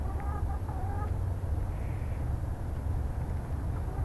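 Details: Chickens settling in their coop to roost at night: soft, low murmured clucks with faint harmonic tones in the first second, then quieter, all over a steady low hum.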